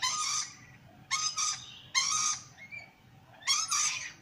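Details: A curious sulphur-crested cockatoo (Cacatua galerita) investigating the camera gives four harsh, raspy screeches, each about half a second long, roughly a second apart, against a quiet background.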